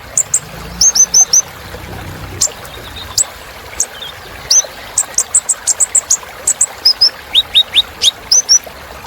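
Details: Sunbird called kolibri ninja in Indonesia, giving a steady run of sharp, very high ticking chirps and short downslurred notes, mostly in twos and threes.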